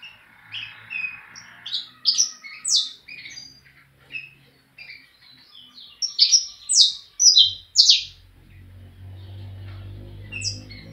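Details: Bred saffron finch delivering a long run of sharp, descending high chirps at an irregular pace, with low rumbling background noise in the latter part.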